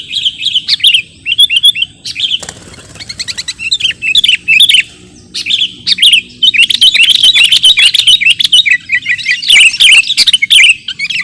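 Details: Kutilang, the Sooty-headed bulbul, in a lure and tutor recording: busy, overlapping bursts of chirps and slurred whistles with brief gaps, growing denser and more excited toward the end.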